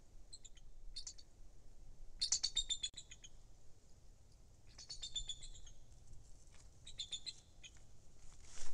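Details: At a lakeside pine-top nest in Louisiana's Kisatchie National Forest, 23 December 2023, a Bald eagle gives bursts of high, thin chittering notes in several short clusters, with soft low background noise between them.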